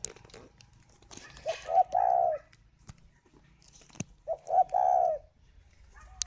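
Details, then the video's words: Incubating spotted dove kept caged at Ba Vì, Hanoi, Vietnam: two soft low coo phrases, each a couple of quick hoots leading into a longer drawn-out mellow note, separated by quiet with faint clicks. "chim cu gáy hay vừa ấp vừa gù"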